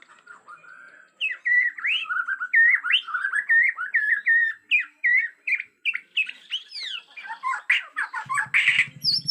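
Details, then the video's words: Borneo white-rumped shama in an agitated state, wild forest recording: fast, varied whistled phrases with rising and falling slurs and quick notes following each other, ending in a harsher, buzzy burst over a low rattle. "Murai Batu Borneo Ngamuk suara asli hutan"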